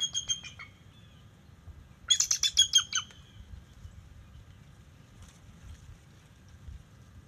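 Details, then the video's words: Alerting calls of a bald eagle at the NCTC nest on October 10, 2023, during a young male's visit: a short run of high piping notes opens, then a second rapid chittering burst of about eight squeaky notes, then quiet with low rumble. "Young Male ? Eagle Visits Three Times Alerting"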